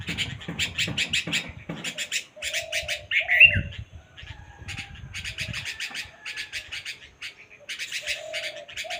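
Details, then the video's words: A bulbul gives rapid series of scratchy, buzzy chatter notes in short runs separated by pauses, with soft low whistled tones faintly heard behind. "How a bulbul bird makes sound ?"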